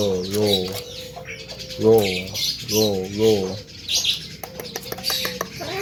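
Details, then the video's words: A young Javan myna sings sweetly in full isian style. Three rich, wavering harmonic phrases are followed by a flat whistle and a burst of quick clicks. "BURUNG JALAK KEBO MUDA BERSUARA MERDU FULL ISIAN"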